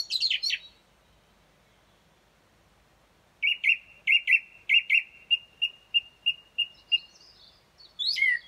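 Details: Early-morning song thrush outside a bedroom, recorded around 4.30 am at dawn: a sharp flourish, a two-second silence, then a clear note repeated about eleven times in steady rhythm, ending in a thin twitter and a sharp phrase.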